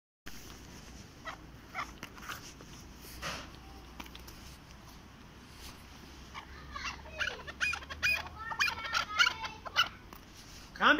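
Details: Chukar partridge (keklik) in Darvoz district, Tajikistan, 2020, fighting with a person: quiet at first with scattered clicks, then from about seven seconds a rapid series of harsh, chattering calls that grow louder toward the end.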